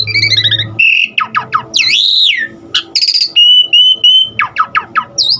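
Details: Asian pied starling performing a varied song of imitated sounds: trilled notes, a loud swooping whistle, sharp descending sweeps and level pure tones, each in short bursts.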